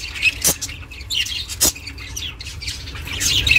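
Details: Household budgie giving sparse chirps, meant to keep solitary budgies company; a few sharp clicks and brief high twittering notes separated by short gaps, low background hum.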